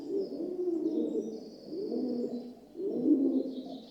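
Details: Low, murmuring coos from a rock dove, also called pigeon, in three rolling phrases, with faint high chirps from other birds behind.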